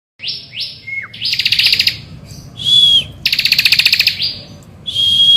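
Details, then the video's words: Bar-winged prinia singing vigorously in the morning, a recording used to lure other birds into singing: high rising sweeps, then loud buzzy rattling trills alternating with clear level whistles and a short falling whistle. "Pancingan Ciblek Gacor Di Pagi Hari"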